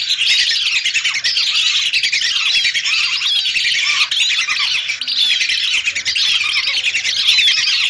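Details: Massed calls of hundreds of lesser whistling ducks, recorded as a lure; a steady, loud wall of shrill overlapping whistles, with a few clearer rising whistled notes standing out.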